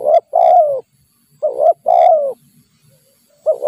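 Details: Wild spotted dove coos during decoy trapping: short paired low coos followed by a longer, slightly falling coo. The pattern repeats about every 1.5 seconds, in otherwise quiet surroundings.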